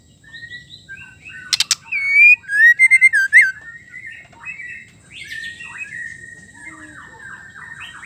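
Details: Female white-rumped shama song, used to spur males to sing. Soft notes and a sharp click come first, then a rapid series of loud, ringing whistled slurs. Quieter varied chattering trails off afterward.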